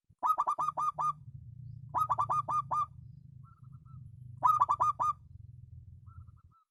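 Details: Zebra dove of the local perkutut type, noted for an exceptional voice: three bursts of five to six rapid, rich staccato coos over a steady low rumble, with faint thin whistled notes between bursts.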